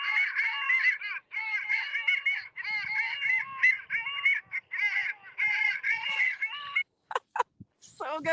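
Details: A distant winter flock of Long-tailed Ducks, as heard from the Lake Ontario shoreline, keeps up an overlapping, nasal, yodelling chorus of rising and falling calls, with a few sharper notes near the end.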